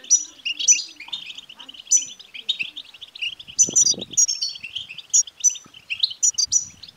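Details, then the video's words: Goldfinch song meant to get a male goldfinch singing: fast tinkling twitters and bright high chips in a steady stream, with a short burst of low rustling noise near the middle. "بتبتة لتحفيز الحسون سوف يكسر القفص لأن دكر الحسون لن يصمت دقيقة واحدة بعد سماع هده البتبتة"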